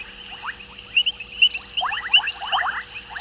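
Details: Evening calls of white-faced whistling ducks at a waterhole, Gowrie dam on Djuma Game Reserve in South Africa's Sabi Sand, 14 January 2021. Quick upswept whistled notes tumble together, overlapping sharper high chirps, over a faint electrical hum.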